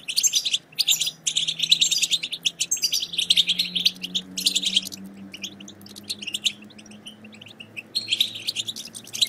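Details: European goldfinch batbata chatter for rousing silent goldfinches to sing: bursts of dense buzzy twittering over a faint low steady hum, quieter through the middle section.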